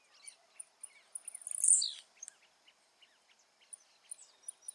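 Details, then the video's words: Blue-black grassquit in its natural habitat gives a lone bright, buzzy note that drops in pitch. It stands out over a steady scatter of faint ticking calls from other birds. "Tiziu selvagem com lindo som da natureza ao fundo"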